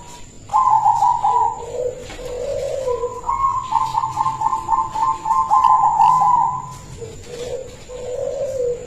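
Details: Silver-coloured local zebra dove with a big, melodious voice, recorded as a lure for other zebra doves: rolling, bubbling coos in long runs, mixed with lower soft coo notes, over a steady background hum.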